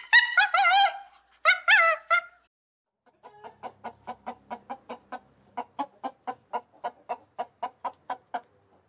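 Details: Farm chicken giving two loud, harmonic, wavering squawks, then a steady run of short, soft clucks repeated about twice a second.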